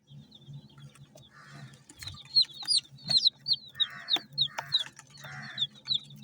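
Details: Multicoloured chicken chicks feeding: a fast run of high, short peeps, several birds overlapping, growing louder after two seconds, broken by soft scratchy pecking bursts and a faint low hum beneath.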